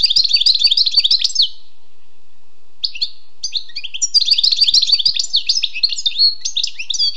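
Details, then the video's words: Wild European goldfinch singing a fast, liquid twittering song of high tinkling notes and trills, a brief pause, then a renewed burst of rapid chattering phrases. "Écoutez et appréciez le doux chant du chardonneret sauvage"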